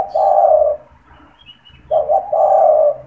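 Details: Caged spotted dove that coos constantly, used to call and lure wild doves; a long rolling coo followed after about a second by two short notes and another drawn-out coo, faint chirps between.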